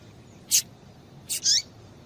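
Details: Female Rusty-collared seedeater calling to get the male singing; a single sharp high chip followed by a quick two-part rasping note with a falling tail.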